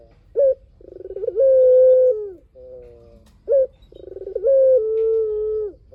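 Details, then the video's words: Spotted dove singing strongly as a lure to make other doves reply. Two phrases, each a short sharp note, an accelerating purring roll, and a long level coo, with a faint softer coo between them. "PUTER GACOR SUARA PANJANG | PANCINGAN BURUNG PUTER"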